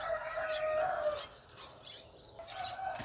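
A White-crested laughingthrush gives a loud, rich note that carries for about a second, then fades under quick, high chips.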